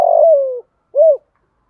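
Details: The end of a spotted dove phrase: a long coo gliding slowly down in pitch, a brief gap, then one rounded closing note, sounded to provoke a rival bird.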